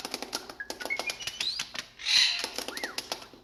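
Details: Male blue jay in Connecticut, handled on a finger, tap dancing with crown raised, belly feathers puffed and tail flared, giving R2-D2-like noises: brief whistled sliding notes, some rising, among rapid dry tapping clicks from his pounding feet.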